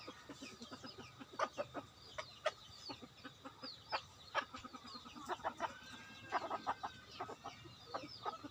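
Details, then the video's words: Decoy chicken giving a run of short, sharp clucks in uneven bursts, some quickening into rapid strings, with faint high chirps behind. "Gà mồi"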